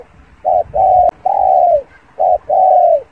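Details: Close-up spotted dove giving deep, smooth coos: a short note followed by a longer drawn-out one, the pair repeated twice, with one sharp click between phrases.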